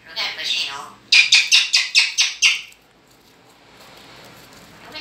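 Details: Two pet talking blackbirds in a strange dialogue: a burst of high, harsh notes, then seven rapid, loud chattering notes at about four per second, followed by quiet room noise.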